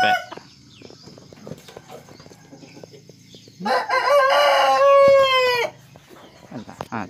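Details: A hybrid Serama chicken rooster, bred from a hen with jungle-fowl blood and a kate-serama cross male, is a frequent crower. While being handled, it gives one two-second crow, harsh and rising, then held and bending downward.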